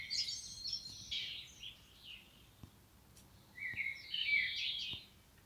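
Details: Common blackbird in the wild, male or female: two bouts of high, squeaky twittering warbles, the first at the start and the second after a quiet gap of about two seconds, with faint ticking sounds in between.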